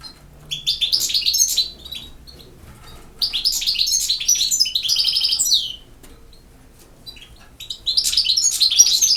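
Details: European goldfinch singing in the campero style, a field-type song: three bursts of rapid twittering, tinkling and buzzy notes high in pitch, separated by short pauses.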